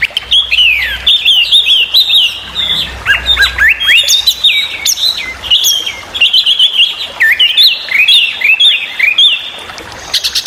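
A Chinese hwamei sings loudly and continuously, a rich, varied run of clear whistles, slurred rising and falling notes and rapid chattering phrases, mostly high-pitched.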